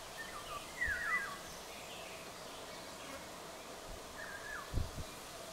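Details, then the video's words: Eurasian golden orioles, several birds, singing in western Poland: two short fluted whistled phrases, gliding and dipping, about three seconds apart, over a steady background hum with low thumps. "Pirolgesang von mehreren Tieren - Vogelstimme Pirol (Oriolus oriolus)"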